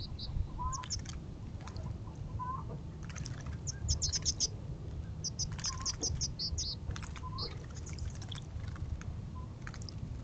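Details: Western bluebirds: soft low chirps and short downslurred notes mixed with clusters of high, thin twittering notes in bursts, over a steady low rumble.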